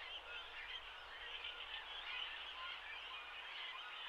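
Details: In late May on a Shinetsu riverbed in Japan, well-grown great cormorant chicks beg for food at a colony shared with grey herons; a steady wall of overlapping high chattering and squealing from many birds with no pause.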